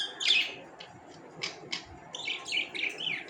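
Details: Pet budgerigars indoors giving a few bright, high chirps and short squawky warbles, with brief quiet gaps between bursts.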